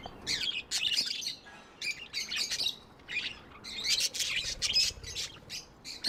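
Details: Tame budgies chirp and squawk in lively, grating bursts of high notes, about one burst every second, separated by short lulls.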